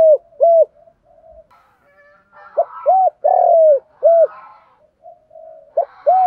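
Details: Spotted doves, both hen and cock, used for training decoy birds. Low, arched cooing notes come in short bursts of two or three with pauses between, over faint background noise.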